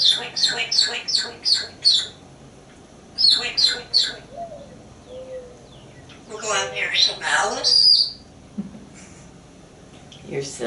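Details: Pet African Grey Parrot on a porch with its owner, practising words: bursts of high chirpy whistles repeated in quick series, then a rising squawky babble, with a woman talking between calls.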